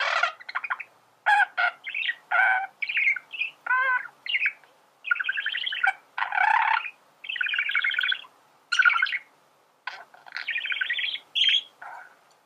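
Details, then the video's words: Male budgerigar singing, its warble offered for teaching other birds to sing: a rapid chatter of buzzy, rasping bursts and squeaky chirps, broken by short pauses, with no other sounds. "فيديو ممتع لتغريد ذكر بادجي"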